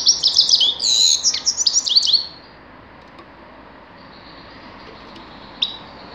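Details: A grey-crowned goldfinch delivers two seconds of fast, high chattering twitters and trills, then falls quiet apart from one thin sharp note near the end.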